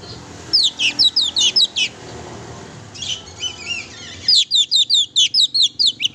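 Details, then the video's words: Oriental magpie-robin singing chattily as a lure for a pet bird: quick series of high slurred chirps, a softer warbled middle phrase, then another even run of sharp chirps at about two per second. "kacer gacor sangat cocok buat memancing emosi burung kacer kesayangan kamu"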